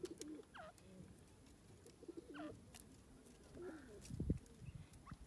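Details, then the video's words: In woodland, a grey francolin (gadra teetar) gives hooked, falling call notes about every two seconds. Low dove coos run beneath, and a brief thump sounds near the end. "gadra teetar calling,grey francolin bird in the forest"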